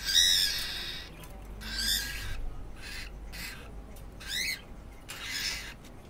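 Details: One cockatiel threatens another that visits its cage, a pet bird that shows no concern: six loud, raspy screeching bursts, some with quick squeaky rising notes, come roughly once a second over a quiet indoor background.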